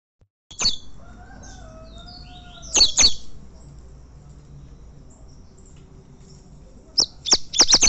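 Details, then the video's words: Double-collared seedeater, a champion tournament singer of the fibra competition style, giving sharp high-pitched notes in short bursts: a single note, a pair near three seconds, then a quick run of five or six notes toward the end, with faint lower whistles between. "Coleiro campeão e galador torneio fibra."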